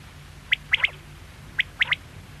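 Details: Quail sounding two quick three-note phrases, a single sharp note followed by a fast pair, about a second apart over a quiet low hum.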